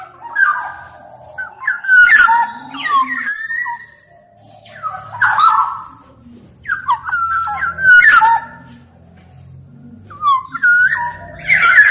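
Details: Black-naped oriole repeating short phrases: fluty stepped whistles joined by sharp, harsh rasps, with about six bursts in twelve seconds and a low hum in the background.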